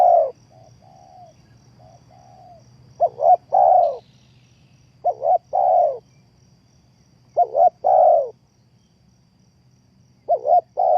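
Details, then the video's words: Trapping decoy spotted dove: soft low coos at first, then four loud phrases, each two brief notes followed by a long, rounded, falling coo, spaced a couple of seconds apart. "The Sound Of Spotted Dove is good"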